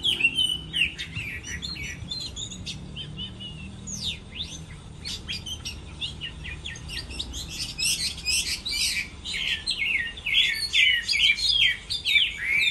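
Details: Chinese hwamei singing competitively in a contest during its moult: a dense, fast run of clear whistled and warbled notes. Short high phrases follow each other rapidly and grow louder and busier toward the end.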